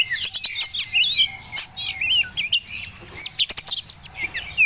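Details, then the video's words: In breeding condition, an Oriental magpie-robin of the Medan variety pours out twisting whistled notes mixed with sharp clicks and ticks, phrases tumbling one into the next. "Kacer Medan Yg Lagi birahhi"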